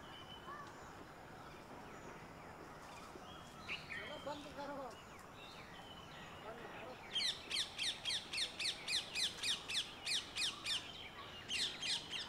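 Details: Red-vented bulbul (Pycnonotus cafer) in a garden in India giving a rapid run of harsh, chattering notes, about three or four a second, after a few scattered chirps; a faint voice murmurs early on.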